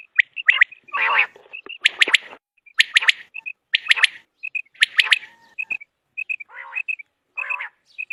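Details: Common quail call, used for quail hunting: repeated clipped three-note bursts with rasping, noisy notes between them and soft quick chirps throughout.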